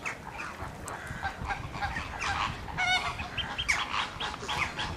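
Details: Magpie goose at Slimbridge, heard among a busy chorus of waterfowl: short nasal honks stacked in bright bands, overlapping with many other bird calls and a steady hiss of background noise.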